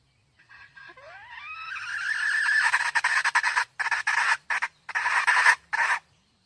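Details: Red junglefowl hen calling, recorded 2023: a thin squeal rises steeply, then swells into a loud, raspy, sustained cackle broken into choppy bursts with short pauses.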